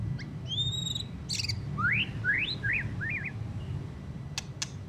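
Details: White-rumped shama just after moulting, still singing a rough twitter: two long high whistles, a burst of buzzy notes, then a run of four rising, hooked phrases and a few sharp ticks over low background hum.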